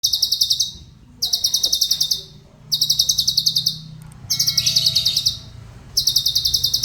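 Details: Cucak cungkok used as a song tutor for other cage birds, singing rapid, buzzy, high trills in bursts of about one second, each a dense train of quick pulses, separated by short pauses; faint low background hum.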